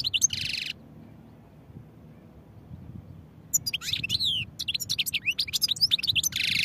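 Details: European goldfinch singing: a short buzzy burst, a pause of near silence, then rapid twittering with sliding high notes and quick trills, ending in another dense buzzy phrase.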